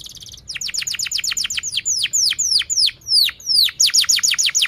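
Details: Canary singing a long, energetic training song used to prompt young birds to learn: rapid series of high descending whistled sweeps, repeated several times a second, opening with a brief buzzy trill.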